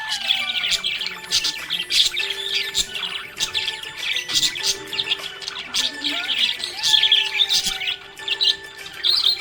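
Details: Budgerigar chirping happily, a fast run of scratchy high chirps and squawky bursts in uneven clusters, with faint sustained musical tones underneath throughout.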